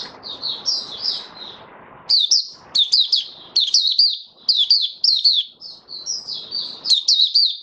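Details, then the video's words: Mata puteh, the white-eye, singing buka sing style: thin sweet warbling at first over low background noise, then a lively run of sharp, closely spaced twittering phrases with short gaps between them. "Mata Puteh Raja Stablizing his form buka sing 08012022"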